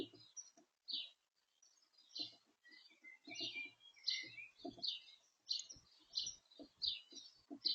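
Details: Blue tit feeding at a garden bird feeder; a quiet scatter of short, high chirps and thin twittering notes, irregular and about one and a half per second, with soft clicks and bumps from the feeder.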